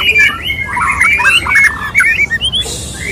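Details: Dense, squawky warbling from a male white-rumped shama courting a female, notes tumbling quickly over one another before a few brief rising whistles.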